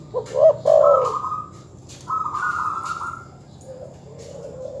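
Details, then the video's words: Loud opening coo burst from a terkukur or perkutut dove, played to anger rivals, followed by a long, steady higher tone and a soft, drawn-out coo, against faint noise. "suara masteran terkukur/kutut bikin emosi lawan"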